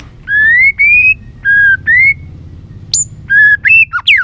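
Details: White-rumped shama with a many-voiced song for training birds to sing more. Clear rising and level whistles repeat in pairs, ending in quick high notes and sharp downslurs.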